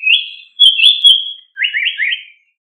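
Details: Japanese paradise flycatcher singing: drawn-out high whistled notes with gentle wavers, then a quick rolling series of three descending-rising slurred whistles, clean background.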